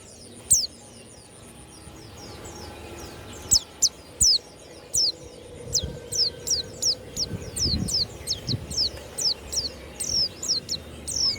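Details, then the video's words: Warbling white-eye, a kept pleci of the Banyuwangi type, singing in the loud ngeplong style. A few scattered high notes build into a steady series of sharp downslurred whistles, over faint low rumbling noise. "SUARA PLECI YANG MANTAP"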